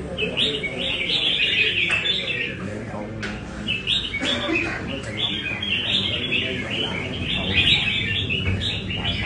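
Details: Caged Nam Đông red-whiskered bulbul practising at a café in Da Nang, Vietnam. It sings clustered, chirpy whistled phrases in quick bursts with brief pauses, over murmuring voices and a few sharp knocks.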